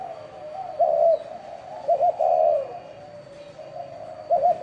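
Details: Spotted dove of the chuông đồng voice type, cooing to draw in wild birds and stir mates. Low soft notes build into clipped double notes and a long throaty coo, the phrase starting again at the end.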